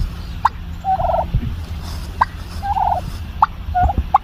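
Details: Female domestic turkey kept at home making little bubble popping noises: short trilled, bubbly bursts of mid-pitched notes alternating with brief sharp clicks or yelps, repeating about every second and a half over a low background rumble.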